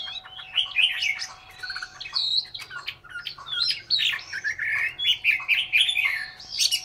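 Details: Caged Chinese hwamei in Hanoi, Vietnam, singing a rich, fast-changing run of whistled and chattering phrases that leap between high and mid pitches without pause, with a faint steady electrical hum underneath.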